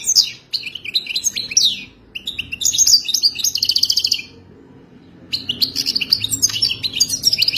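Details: Mating song of a European goldfinch, played so a kept goldfinch learns it: fast jingling phrases with buzzy trills and sliding chirps, three bursts separated by brief silences.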